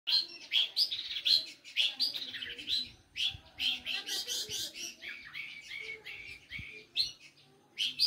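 A Long-tailed shrike pours out a fast, scratchy, chattering song of varied high notes and buzzy phrases, about two bursts a second, with scarcely a pause.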